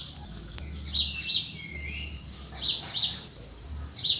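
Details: Early-morning countryside birds in cool air, giving bright high chirps in close pairs at irregular intervals, with a brief lower sliding whistle between them and a faint background rumble.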